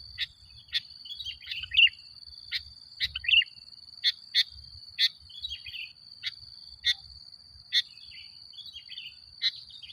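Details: Sooty-headed bulbul in lively song used as a lure to provoke other bulbuls: short bubbly warbled phrases scattered through, with sharp dry clicks roughly every second and a steady high thin whine underneath.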